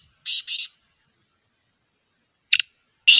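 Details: Black francolin giving brief harsh notes: a quick double rasp, a pause of nearly two seconds, then two more scratchy bursts in an otherwise quiet setting.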